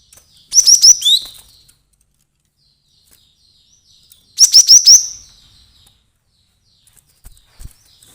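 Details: Glatik batu, or cinereous tit, calling agitatedly as a trapping lure: two bursts about four seconds apart, each a rapid string of four or five high upslurred chirps, the first ending in a lower buzzy note.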